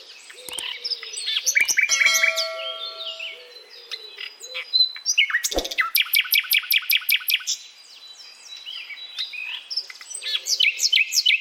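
A common nightingale sings a varied song: sharp chirps, long pure whistled notes, then a fast rapid-fire run of repeated notes and chattering phrases.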